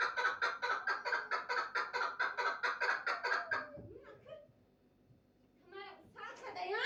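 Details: A run of raspy, rhythmic chuck notes from a chukar partridge lasts about three and a half seconds, then fades into low handling noise and a brief human voice.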